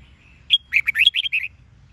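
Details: Red-whiskered bulbul, Sông Kôn song style with double-twisted notes: a single clear whistled note followed by a quick run of about seven bubbling, rolling chirps, clean over a faint low rumble.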